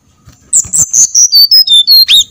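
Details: Brown-chested jungle flycatcher singing, used as a lure sound to trigger song in others: about eight loud, pure whistles in a steady sequence, each slightly lower than the last, with a final upward-bending note.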